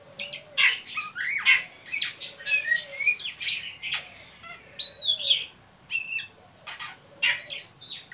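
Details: Oriental magpie-robin ngeriwik calling, used to stimulate young birds to sing; a varied run of sharp chirps, clicks and short slurred whistles, with faint lower whistled notes beneath.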